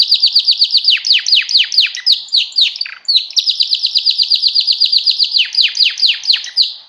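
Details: Mating song of a canary: loud, energetic tours of fast descending whistled notes, a short harsh break, then a long, steady rapid trill returning to sweeping downward notes at the close.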